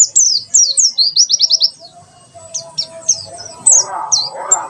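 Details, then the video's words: White-eye tembakan sejalur song: an opening burst of quick high slurred whistles, then scattered single notes over a faint low tone and a closing rough warble. "Pleci tembakan sejalur"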